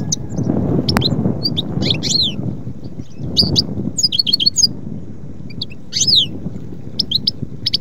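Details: European goldfinch song: scattered bright twittering notes and short high chirps in loose bursts, set against a rumbling low background noise.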